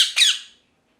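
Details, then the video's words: A parrot gives two quick, harsh, raspy squawks in a small room, the second louder and fading out within half a second, followed by silence. "Parrot Chirping Sounds | Natural Parrot Sounds | Parrot Calling Sounds"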